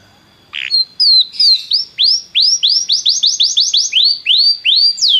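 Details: Belgian canary singing to warm up a canary: after a short chirp, a steady series of arched whistled notes about four per second, clear over a quiet background.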